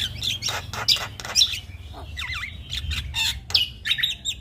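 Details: Energetic song from a male Javan myna used to train other mynas, mixing harsh rasping bursts, looping whistled slurs and sharp high squeaks over faint low background hum.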